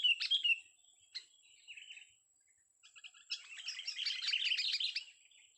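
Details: Young sooty-headed bulbul singing: a few sharp chirps, then a dense rapid run of bubbly, chattering notes, over a steady thin high electronic whine.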